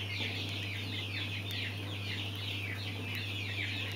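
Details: Many mountain quail chicks peep together. Repeated high chirps dip and rise in quick waves across the whole stretch, backed by a steady low electrical hum.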